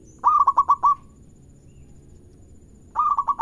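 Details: Local zebra dove singing to encourage other doves to answer: one phrase of five rapid, rolling coos, a pause of nearly two seconds, then a second phrase begins.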